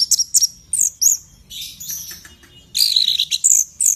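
An orange-headed thrush sings fast, high, varied phrases of sweet whistles, chips and rattling trills in bursts with brief pauses.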